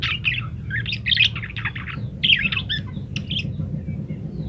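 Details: Parakeet in lively full song, a master recording for training other birds: dense run of warbled, chattering notes and short squeaks, high and busy, pausing briefly near two seconds, over a low steady background rumble.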